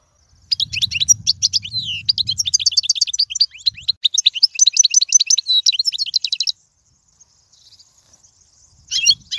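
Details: European goldfinch, song used to teach young birds, royal style: long continuous outpouring of fast tinkling twitters and buzzy notes for about six seconds over faint low rumble, then near silence and a final short burst.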